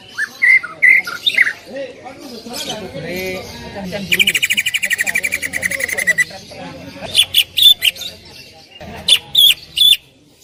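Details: Greater green leafbird, a loud singer used as a training recording: scattered whistles, a rapid even rattling trill, then sharp repeated high chips.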